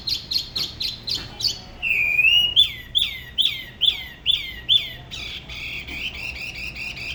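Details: Spot-throated babbler from La Ba river near Da Lat singing solo, a singing style unlike other regions: a run of quick sharp chips, then a long rising whistle and a series of bright downslurred notes about twice a second.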